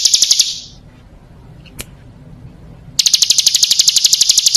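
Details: Female bar-winged prinia lure call: a short burst of fast high notes, about two seconds of quiet with one faint click, then a renewed rapid, ringing series.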